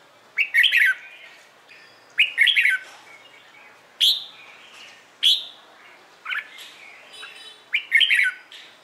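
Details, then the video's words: A red-whiskered bulbul delivers its morning fighting song while being trained. Six punchy whistled phrases follow one another every one to two seconds. Some are short sharp upslurs; others are longer rolling warbles, with faint chirps between them. "LUYỆN CHÀO MÀO HÓT ĐẤU/ HƠN 12 P CHÀO MÀO HÓT BUỔI SÁNG"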